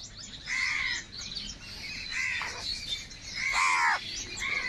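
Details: Four drawn-out, hoarse caws from crows fighting for food rise above a constant hiss of background noise, the last call loudest.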